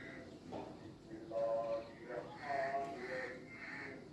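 Black francolin giving harsh, grating call notes in a quick run of three or four syllables, repeated over a steady background hum.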